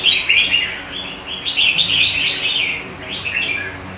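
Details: Red-whiskered bulbul (chào mào), a kept bird in Vietnam holding its own among surrounding birds: loud, lively warbled phrases of quick rising and falling whistled notes, delivered in short bursts with brief pauses between.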